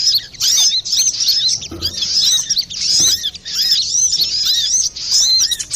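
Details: Brown-throated sunbird in noisy, full song, as used for bird trapping or training: a rapid stream of thin, high chirps and short slurred notes, with brief pauses around one and five seconds.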